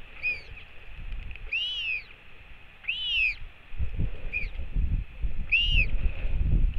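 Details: Adult female Northern royal albatross returning on an overcast morning to her chick at the Top Flat nest site, New Zealand, to feed it: five arched, high whistled notes about once a second, some clipped, over steady wind rumble.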